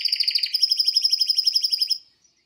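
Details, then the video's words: Male canary sings a fast, rolling, bubbly trill of rapidly repeated notes for two seconds, then falls silent. "Best Canary singing live - Serinus Canaria"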